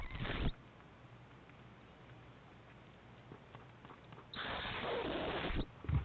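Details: Owl mother feeding her two owlets at breakfast, 7am on 7 March 2010, the young competing for food; a short rasping hiss burst, then a longer broad, breathy begging hiss lasting over a second, with faint clicks between.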